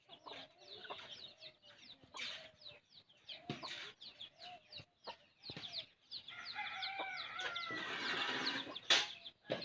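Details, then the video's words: Hen feeding her chick: short low clucks from the hen mixed with many thin, high, downslurred peeping chirps from the chick, repeated rapidly, with handling noise and a denser burst of chirping near the end. "A hen feeds her chick"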